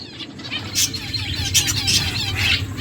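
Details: Finches feeding and chirping: quick, high twittering notes in short clustered bursts over a steady low background hum.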